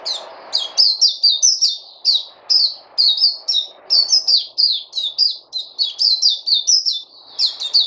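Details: Song of a white-eye (puteh) from 29 August 2020: a steady stream of sharp, high, downward-sliding chirps, several per second, with brief flicks even higher. A soft background murmur fades after the first second.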